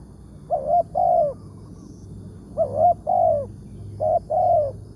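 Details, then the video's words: Wild spotted dove being lured for capture on a morning outing, its voice described as big, 'tarik akar' style: three repeated coos, each a clipped double note leading into a longer falling note, over low rumbling background. "TEKUKUR SUARA BERSAR"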